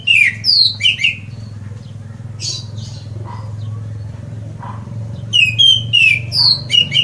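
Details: ['Orange-headed thrush (anis merah), a songbird favoured by bird-keeping hobbyists, in loud song meant to spur other birds to sing. Sharp descending whistled notes open and close the clip around a quieter stretch with faint chirps and steady low rumble.']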